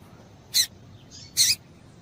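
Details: A female double-collared seedeater gives two bright, abrupt high chips under a second apart, with a faint softer note between. The calls are used to stimulate males to sing.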